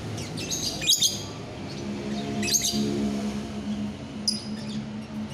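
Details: Biola euwing green lovebird, 24 November 2021, making a few brief high scratchy chirps spaced over several seconds above a low droning hum.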